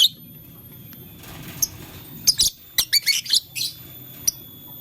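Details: A lovebird of blue, lutino and green colour playing with a flower gives a brief string of sharp, high squeaky chirps in the second half, after a mostly quiet start.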